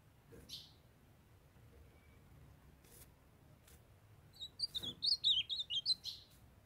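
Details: A young male ultramarine grosbeak sings for a female that calls to warm him up. After a brief chip and light taps, he gives a fast series of about ten warbled, high notes.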